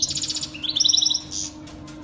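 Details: Saira canary full-start training song meant for teaching baby canaries to sing: rapid high trilled phrases, a fast pulsed series, then a lower buzzy rolling trill and a short bright burst, with a steady low hum behind.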